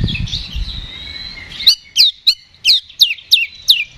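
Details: Oriental magpie-robin fighting song meant to provoke a response: a soft buzzy trill, then seven loud sharp descending whistles repeated about every half second.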